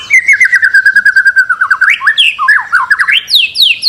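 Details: White-rumped shama master recording to encourage singing: a long wavering series of pulsed whistles that drifts slowly lower, then breaks into jumpy looping slurs and quick high downstrokes.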